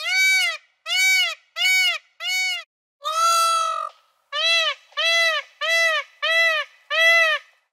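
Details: Indian Peafowl in India calling: a run of about ten loud, nasal, trumpeting notes roughly every two-thirds of a second, with one longer, drawn-out wail partway through.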